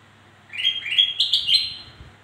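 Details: Black-crested bulbul song, used to lure other birds that are slow to sing: a short phrase of clear, bubbling whistled notes stepping upward, lasting about a second and a half.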